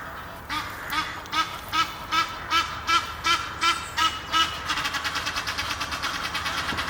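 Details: Pair of Egyptian geese courting up a tree near Henley upon Thames. About ten evenly spaced, nasal, harmonic honks come at roughly two or three per second, then give way to faster, denser, harsher calling over a steady low rumble.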